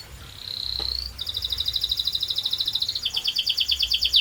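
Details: Canary in full, lively song with a long rolling style: a steady high whistle, then fast buzzy trills pulsing at a constant pitch. The trill drops slightly lower around the three-second mark and continues to the end.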